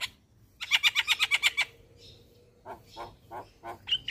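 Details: Javan myna in the morning, recorded as a master for training caged birds: a fast burst of about eight harsh rattling notes, a pause, then four lower croaking notes and a high whistle.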